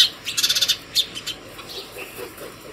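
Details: House sparrow calling fellow sparrows to food early in the morning at a homemade feeder: a quick burst of about six loud chirps, then softer scattered chirps fading away.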